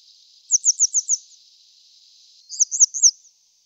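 Grey wagtail giving sharp, very high metallic notes: a quick run of five, a pause, then three more, over a steady background hiss.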